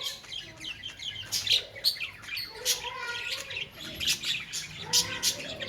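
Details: Budgerigars in breeding season chatter with quick, high, scratchy chirps and warbles, several birds calling at once.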